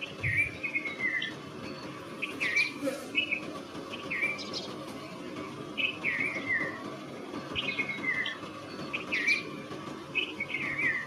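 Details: Red-vented bulbul repeating cheery whistled phrases, each a short falling slur, about every one to two seconds across eleven seconds, with higher sharp notes between and a constant low rumble underneath.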